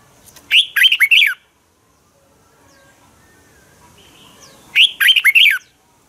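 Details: Morning song of a Red-whiskered bulbul, a fighting song used to train other birds: two phrases of rapid, slurred whistles about four seconds apart, separated by near silence and faint chirping.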